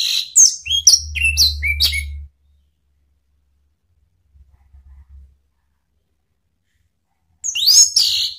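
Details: Orange-headed thrush call used as a lure and therapy sound gives a quick run of high, sweeping whistles, about two per second, then a pause and another burst; a low hum sits underneath.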